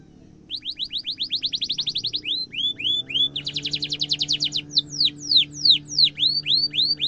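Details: Canary with a long sharp rolling trill, played as master song for young canaries: a fast even trill of rising notes, a few looping whistles, a second dense trill, then slower repeated downward-curving sweeps.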